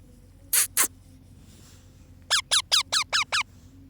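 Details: A baby parrot that is feeling cold makes two short breathy hiss-like bursts, then after a pause a rapid run of six squeaky, downward-sliding calls, evenly spaced and equally loud.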